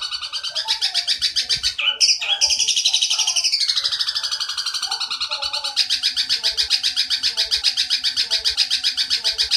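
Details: Long-tailed shrike, in a recording meant to train young shrikes, gives a fast, unbroken run of high, scratchy chattering notes, about four a second, with a brief slurred descending whistle early on.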